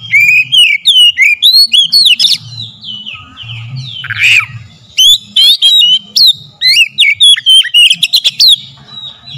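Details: Lure recording of a singing oriental magpie-robin to provoke song: a near-continuous stream of loud, sweet, swooping whistles and chirps over nine seconds, with one harsh scratchy squawk in the middle.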